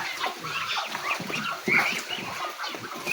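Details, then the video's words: Hungry farm ducks crowd around their owner, crying loudly for food at feeding time: a dense, overlapping chorus of short, high, reedy calls from many birds, with a sharper louder burst midway. "Hungry Ducks Crying Around Their Owner | Ducks Asking for Food"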